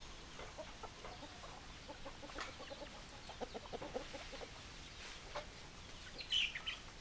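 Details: Hens clucking in a farmyard, soft short clucks repeated irregularly through the clip, with a brief higher squawk near the end over a low background hiss.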